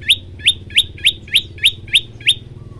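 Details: Tailorbird in a reliable training recording of prolific, varied song: eight sharp upswept chirps, one roughly every third of a second, bright and ringing, over a low steady hum.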